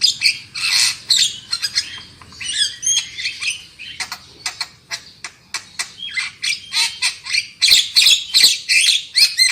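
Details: Black-winged myna lure song to make birds sing loudly: long sequence of loud raspy squawks and chattering notes, some buzzy whistled phrases mid-way, with rapid repeated harsh calls building near the end.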